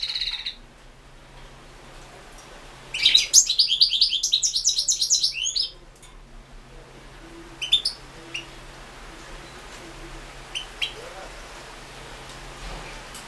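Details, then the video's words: European goldfinch recorded as a 2016 online singing-contest entry. After a short opening note and a pause comes a dense burst of liquid, rapidly repeated twittering. Sparse single chirps follow over a quiet background. "World championship in Goldfinch Song"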